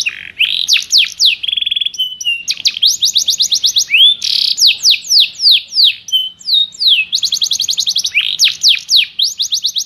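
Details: White-rumped shama master recording for training songbirds: loud, varied phrases of sharply down-slurred whistles, quick trills and rapid high chatters, delivered densely without pause.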